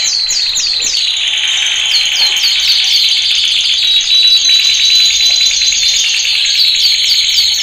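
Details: Canary training song for males, with rapid sequences of sharply downswept whistles repeated about four per second. These sit over a continuous bright rolling trill that runs throughout.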